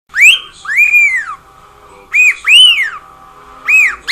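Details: Pet cockatiel at home, singing and making lots of noise: three loud arched whistles, each rising and then falling, with bright overtones and short pauses between them.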